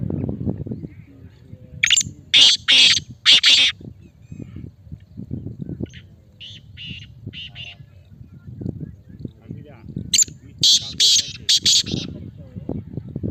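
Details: Male kala teetar, a black francolin, repeating harsh, scratchy call phrases. Loud grating bursts come first, then quieter distant-sounding notes, then another strong rasping series, over low background noise.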